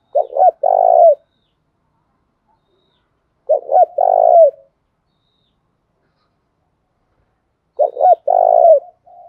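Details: Spotted dove 'thúc gù' cooing used for daily voice training: three similar phrases about four seconds apart, each two quick hooting notes followed by a drawn-out, vibrating coo. Quiet background.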